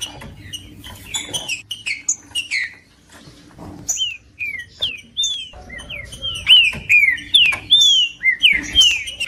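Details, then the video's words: Green-winged saltator singing, offered to warm up a cold bird; a soft start of mixed whistles and clicks, then a strong run of evenly spaced, clear down-slurred whistles, about two per second. "MELHOR VÍDEO PARA ESQUENTAR TRINCA FERRO COM TRINCA FERRO CANTANDO"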